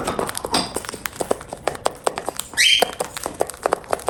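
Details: Pet cockatiel calling while eating: amid steady dry clicks and taps of feeding, a single loud, harsh, rising screech rings out near the end.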